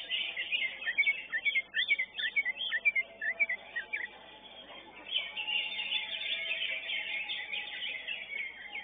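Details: Greater green leafbird competing in a songbird contest, elite class: quick, varied whistled and chirping phrases, about two a second, then a dense, continuous warbling chatter, possibly from several birds.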